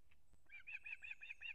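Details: Osprey at a nest in Kurzeme, Latvia, on 3 September 2024 as the father delivers a whole fish to the chick; a quick run of five or six sharp, piping whistled notes after a soft click, over low rumble.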